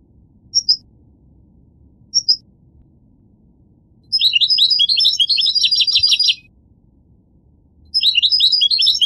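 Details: Goldfinch singing: two brief high chirps near the start, then a rapid twittering burst of fast, high, tinkling notes lasting about two seconds, and another twittering phrase at the end; no other sounds.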